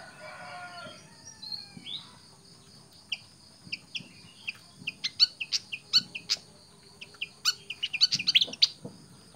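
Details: Tame pied fantail producing a quickening run of crisp, high chip notes that grows denser and louder toward the end; a brief descending, harmonic squeal opens the sequence against a quiet background.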